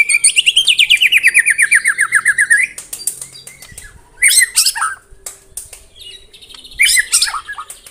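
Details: White-rumped shama (murai batu) in 'tembakan rapat' style, a dense rapid-fire song: opens with a long, steady, slowly descending trill of repeated notes, then breaks into scattered sharp, high, explosive bursts.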